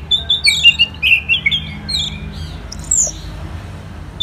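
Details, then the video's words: Orange-headed thrush singing: a quick burst of sweet, warbling whistled notes for about two seconds, tailing off into softer fragments and a final high slurred note, with low background rumble. "ANIS MERAH Gacor"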